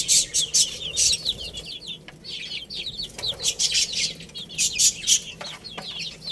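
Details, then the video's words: Young chicks playing and eating: strings of high, falling peeps from many birds, punctuated by loud clattering pecks and scratching noises. "Cute Little Chicks Chirping Sounds| Baby Chicken Playing and Eating"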